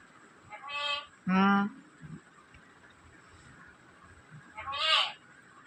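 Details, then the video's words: Black-capped lory talking: three short, harmonic, voice-like bursts, the middle one loudest and lower-pitched, separated by quiet gaps. People speak before and after. "black cap lorri keet amazing voice"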